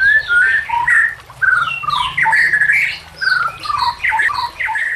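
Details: White-rumped shama song used as a lure and training tutor for other shamas, mixed with natural sounds and trickling water: varied whistled phrases, slurred notes and rapid chatter in bursts, with a low steady hum underneath.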